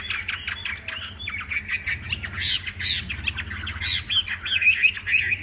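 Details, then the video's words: Tame Chinese hwamei song, somewhat blurred and diffuse: bursts of jumbled, scratchy warbling with brief clearer whistled notes near the end, over a noticeable low rumbling background. "Họa Mi thuần đẹp hót hay"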